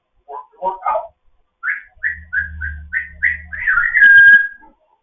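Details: Morning chat from a fostered pet African grey parrot: a few soft muttered notes, then a row of six short clear whistles, ending in a louder sustained whistle, with faint low hum behind.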